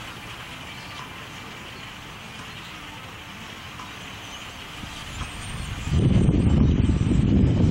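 Low engine and traffic drone builds into a loud, rough roar near the end, with no animal calls audible.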